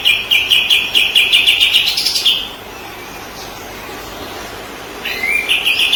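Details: White-rumped shama song used as training material for other songbirds: rapid bursts of bright, high notes repeated about four per second for over two seconds, a quiet pause, then the fast chattering series resumes.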